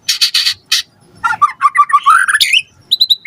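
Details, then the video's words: White-rumped shama lure song: three harsh buzzy bursts, then a quick rattling series of mid notes climbing upward, ending in high clear chips. "Pancingan Murai Batu Gacor Cepat RESPON Langsung NYAUT Jadikan Suara Burung Murai Gacor Full Isian"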